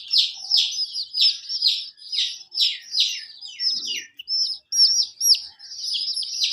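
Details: A hen with colourful chicks: the young give rapid, shrill, falling peeps in uneven bursts, with loud runs separated by brief gaps.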